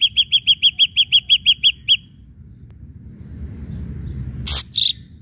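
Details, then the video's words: Ashy drongo singing as a lure to provoke other birds to sing: a rapid series of about ten clear, evenly spaced notes roughly three per second, then a pause and a couple of sharp bursts. "srigunting abu abu gacor PANCINGAN"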